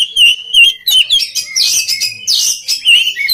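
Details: Oriental magpie-robin song for training other magpie-robins to sing: clear downslurred whistles repeated at first, then a burst of buzzy, scratchy notes and renewed whistles.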